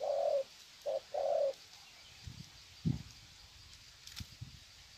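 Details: Wild-caught spotted doves greeting each other with long cooing phrases at Sesan, Vietnam, on 21 February 2020; a short coo, a brief note and a longer hollow coo, then soft low thumps and faint rustling.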